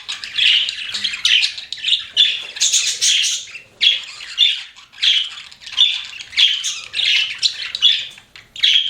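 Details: Pet budgies chattering continuously, harsh squawky chirps and fast scratchy warbles rising and falling in short bursts about once per second, several birds overlapping.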